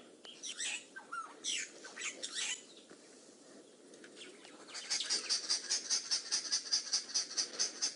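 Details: Arrow-marked Babblers alarm calling at a female boomslang snake in a tree in January, on a bushwalk as a bushbaby emerges early: harsh rasping screeches, then a fast regular chatter of grating notes, two or three per second.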